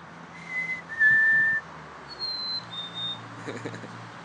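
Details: A person whistles two falling notes, then a wild black-capped chickadee copies with its own clear, higher two-note fee-bee whistle, the second note slightly lower.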